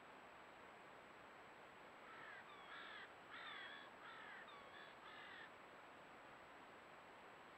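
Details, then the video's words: Golden eagle in Cantabria, Spain, giving a brief run of five thin, yelping whistled notes, slurred and evenly spaced, over a steady background hiss. "Águila real"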